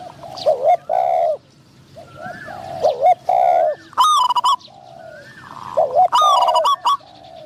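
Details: Spotted dove decoy session luring wild doves, one wild bird having a medium-pitched voice. Hollow coo notes run in short groups, interrupted twice by loud, high, buzzy overtone-rich bursts.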